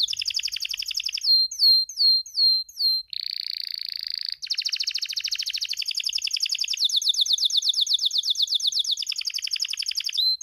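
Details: Singing male Spanish timbrado canary in breeding condition: a fast high trill, five separate swooping whistled notes, a flat buzzing roll, then long chattering trills that change speed several times.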